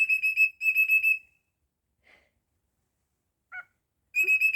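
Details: Indoor pet cockatiel giving high, piercing whistled bursts, each a fast stutter of four or five notes, separated by silence with a few faint chirps in between.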